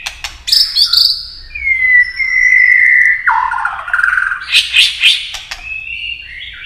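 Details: Singing white-rumped shama, a long flowing song used to rouse competitors. High sweeps, a long level whistle that drops in pitch, then loud busy warbling and a final high whistle.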